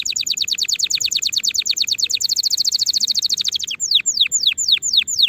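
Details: Canary singing for training young birds in 2024: a long, rapid run of high, clipped notes that slows into a series of loud, downward-swooping whistles.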